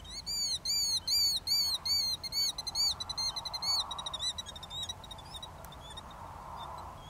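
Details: Killdeer on 1 April 2017, apparently preparing for nesting season, giving a rapid run of shrill, arched 'dee' notes, about four a second, that speed into a fading trill over soft background hiss.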